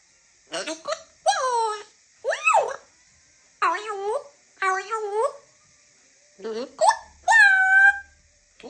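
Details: African grey parrot talking: a run of short, harmonic, speech-like syllables with bending pitch, some rising and falling, in bursts over about eight seconds, with brief pauses between phrases, indoors and quiet.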